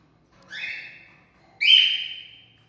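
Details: Cockatiel mating song: two short whistled notes, a softer rising one and then a louder held note with rich overtones, set against a silent background.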